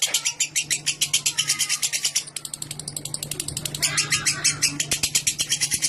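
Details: Lovebird giving a long chattering song meant to prompt other lovebirds to chatter at length; rapid dry high-pitched notes repeated several times a second, one brief pause midway, steady low hum underneath.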